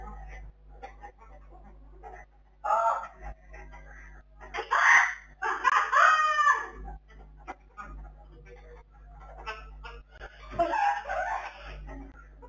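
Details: Blue-fronted amazon, recorded in 2020: loud, harsh, harmonic squawks in separate bursts around the third, fifth to sixth and eleventh seconds, over a steady low electrical hum.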